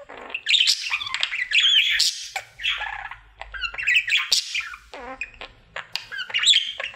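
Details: Male pet budgerigar in his daily singing routine, described as a happy singing bird: busy, scratchy warbling mixed with sharp high chirps and short whistled slurs, delivered in uneven bursts separated by short gaps.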